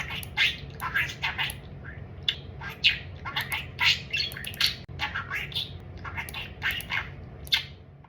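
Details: Pet budgie chatter about food: a long string of short, dry, clicking and squawking syllables, closely and irregularly spaced, with a faint hum throughout.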